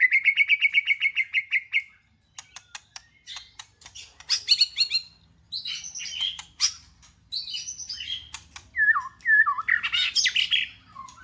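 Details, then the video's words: White-rumped shama singing: a rapid run of repeated high chips, then sharp clicks and a varied mix of loud whistled and harsh phrases. "Chòe Lửa Hót"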